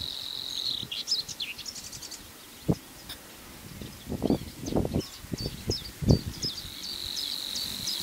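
Savi's warbler reels out a fast, even, insect-like buzz at the start and end; other birds chirp in between over low thumping background noise.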